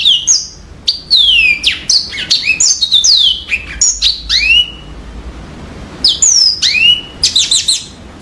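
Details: Yellow-fronted canary song, clear and bright: a lively run of high, sweeping whistles, many sliding down and some rising, packed in quick phrases with a short break midway before the song resumes.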